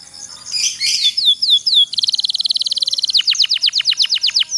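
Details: Canary (kenari pocong) singing a long rolled song, played to coax lazy canaries into singing: loud chirps, then a fast buzzing trill, then a slower series of sharply falling whistled notes.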